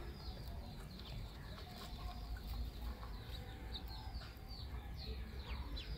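A duckling gives shrill, high, downward-slurred peeps, several each second, over a steady low rumble of background noise.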